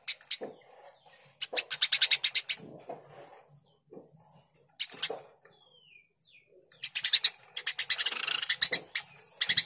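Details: Eurasian tree sparrow, Passer montanus, chirping in fast bursts of harsh, broadband chirps, with pauses between bursts and a few faint thin whistles in the gaps.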